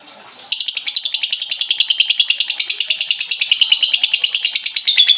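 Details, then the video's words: Lovebird song used as a lure for a lovebird that has stopped singing: after a quiet start, a long, loud, fast buzzy trill of rapid pulses, slightly falling in pitch, continuing nearly five seconds. "pancingan burung lovebird macet bunyi"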